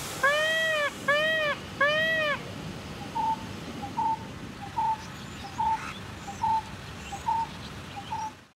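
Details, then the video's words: A peacock gives three loud, wailing, cat-like cries in quick succession, then a steady run of short, softer piping notes spaced under a second apart. "peacock song"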